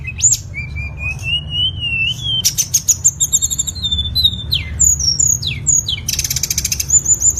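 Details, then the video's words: Tledekan singing, used to train songbirds: a long rising whistle, then buzzy rattles, sharp falling slurs and a closing fast trill of high notes, over a steady low hum. "MASTERAN SUARA BURUNG TLEDEKAN"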